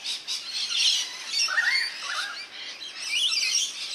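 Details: Rainbow lorikeets bathing in a backyard birdbath in NSW, Australia, give a dense, continuous screeching chatter of high, harsh notes, with a few lower rasping squawks near the middle.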